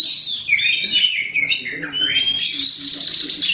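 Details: Oriental magpie-robin, black kacer form, singing in gacor style, a steady outpouring of song: rapid high chattering and sliding whistles run together without a break, some notes sweeping upward, a soft low hum behind.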